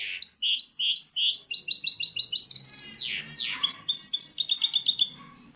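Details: Hybrid misto canary singing on a tape meant to teach young birds: rapid high repeated chirping phrases and rolling trills, a sharp descending sweep near the middle, then more bright staccato trilled notes.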